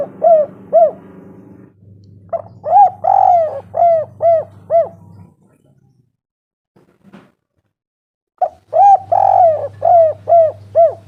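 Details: Spotted dove, recorded to lure doves into calling: runs of clear arched coos, about two per second, including long falling notes, broken by a silent gap and a soft click, with intermittent low hum.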